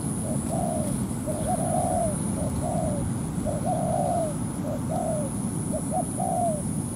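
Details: Spotted dove cooing at a ground trap where a decoy bird draws a wild dove into a territorial contest. Repeated low, hollow phrases each pair quick short notes with a longer sliding coo, steadily paced, over broadband rumble.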